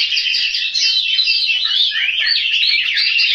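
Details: Chinese hwamei, a household cage bird in Hanoi, Vietnam, pouring out dense, fast warbling song of clear whistles and trilled slurs without any break.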